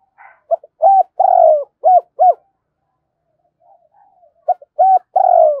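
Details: Decoy spotted dove giving its two-ending coo twice. Each phrase has soft clipped lead-in notes, a long low vibrating coo and two short hooked coos, with a brief pause and faint murmurs between the phrases.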